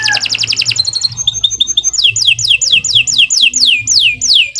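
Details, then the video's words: Canary singing non-stop: rapid chattering trill, then short clipped whistles, then a long series of loud down-sweeping notes repeated about three times a second, bright and high-pitched. "Kicau Burung Kenari II GACOR PANJANG"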